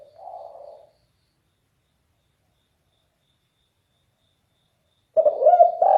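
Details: Spotted dove, known locally as derkuku and described as having a deep bass, very loud voice. A soft, low coo is followed by a long silence, then a louder, rolling coo that begins near the end.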